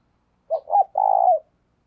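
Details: Captive spotted dove calling as a decoy to draw in wild birds; one clean phrase of two short mellow hoots then a longer, throbbing low coo, against silence.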